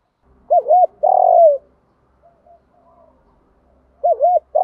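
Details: Spotted dove coos, meant to teach decoy birds to coo: a rapid double-arched note, then a long falling coo. Quiet pause with soft background chirps, then the phrase starts again.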